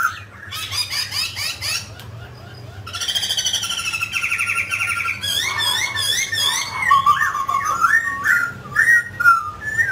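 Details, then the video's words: A mutant grey laughingthrush sings during its dancing display: rapid chattering notes, a long harsh rattle, then wavering whistled phrases that grow louder toward the end. "Chú chim khứu xám tro đột biến hót múa cực đẳng cấp"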